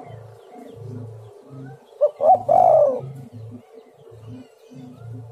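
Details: Single spotted dove cooing phrase, played to lure wild doves into calling: two short notes and a long falling coo, set against a steady background of low, repeated pulsing sounds.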